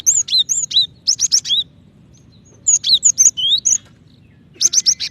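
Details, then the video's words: Bursts of bright, high chirps from a female cinereous tit calling a male, three rapid runs of four to eight notes separated by brief pauses, over a low steady hum. "Gelatik Batu Betina Memanggil Jantan ( cepat bunyi )"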